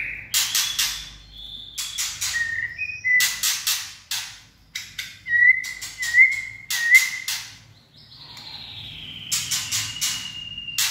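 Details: White-rumped shama with a voice described as steely, giving clear whistled notes and short slurred phrases between sharp, loud clicking knocks, with a long falling whistle toward the end.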